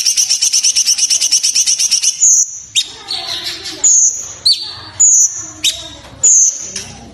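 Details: Sooty-headed bulbul training song with dense bursts and pauses: a quick pulsing trill, then five or six sharp high whistled notes, each sliding down into a short stutter.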